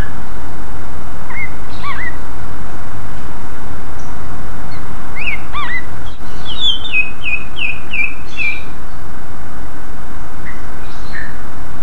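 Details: Greater green leafbird singing a loud lure song aimed at drawing replies from other leafbirds: scattered chirps, then a descending run of about six clipped whistled notes, repeated quickly, with faint notes after and continuous hiss.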